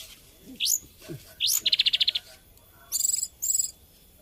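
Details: Hill blue flycatcher, or tledekan gunung, giving rising whistled upslurs, a fast rattling series of short notes, then two buzzy high bursts, against soft background noise.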